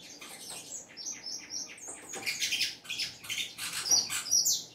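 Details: Saffron finch singing hard: busy high chirping notes building into louder, rapid buzzy and whistled phrases, repeated irregularly.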